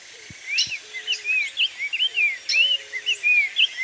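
Black-faced tanager singing a quick run of sweet, slurred whistles that rise and fall, over a steady high hiss of insects, with faint low whistles in the distance.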